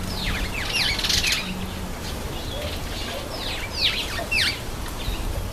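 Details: Cape sparrow taking a bath, giving quick high chirps and sharp downward-sweeping notes in scattered bursts, with splashing-like noise and a steady low hum underneath.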